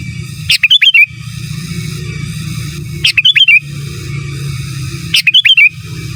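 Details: Gacor, giras, menggaruda style song from a sooty-headed bulbul for training other birds: three short bouts of rapid choppy notes and a looping whistle, spaced two to three seconds apart over a low steady drone.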